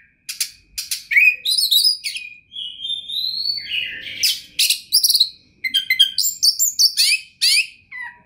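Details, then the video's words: Oriental magpie-robin, a prize-winning kacer, delivers a varied flowing song: grating chatter, a long rising whistle, dense buzzy trills and fast staccato chirps packed closely together, with little pause. "OCEHAN KACER TOP, GACOR DORRR ll JUARA FULL MATERI MEWAH 2021 !!!"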